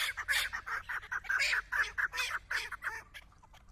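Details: Captive hunting decoy chukar partridge calling in front of a female partridge: a rapid, loud series of harsh clucking notes, tightly repeated several times per second with brief pauses between bursts.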